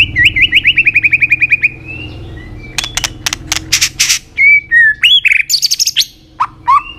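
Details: White-rumped shama singing in many voices, used to stimulate and train other shamas to sing: a rapid run of repeated whistled notes, then varied whistles, sharp broadband clicks and short rising and falling phrases.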